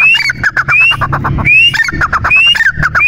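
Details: Francolin (teetar), male and female calls: loud harsh repeated phrases, each a rising whistled note followed by a rapid series of sharp clucking notes, roughly once per second, with low rumbling background noise.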